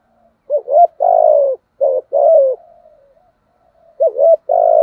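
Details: Mellow, low coos from a decoy spotted dove in the 'giọng thổ' voice: two full phrases of a wavering rising note then a long falling coo, and a third phrase starting at the end.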